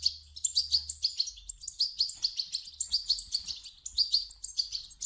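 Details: European goldfinch chicks begging, played back to prompt an adult goldfinch to sing: dense, rapid high chirps in overlapping bursts, several notes per second, with a faint low hum underneath.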